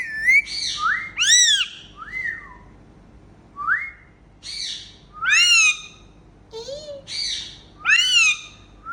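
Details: Indian ringneck parakeets kept as pets, flying around and making happy sounds at playtime: loud rising-and-falling whistled calls with bright upper harmonics, in bursts separated by pauses of about a second, plus one lower short note.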